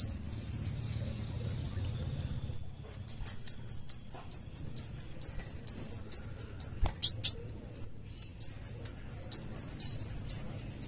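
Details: Sunbird, locally called kolibri wulung, singing vigorously: after two quiet seconds, a fast run of high, thin, downslurred whistles repeats about twice per second, bright and sharp, with a soft low hum underneath.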